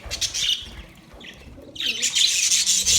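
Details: Budgerigars chirping in two bursts, high bright twittering at the start and a denser stretch of rapid chirps in the second half, with a quieter pause between.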